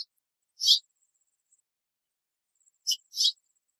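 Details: A House Finch perched in a tree in Southern Ontario, Canada, calling to its friends or mate, gives three short, sharp chirps: one alone, then a quick pair about two seconds later, against a quiet background.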